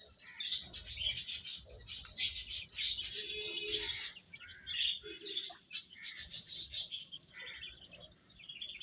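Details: Many baby chickens chirp nonstop while eating, a loud chorus of high, rapid peeps with brief lower tonal notes, easing off near the end.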